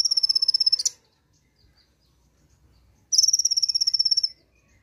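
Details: Konin, the brown-throated sunbird, giving 'nembak' song in answer to a single played recording: a rapid, high-pitched ticking trill under a second long, silence for two seconds, then a second matching trill.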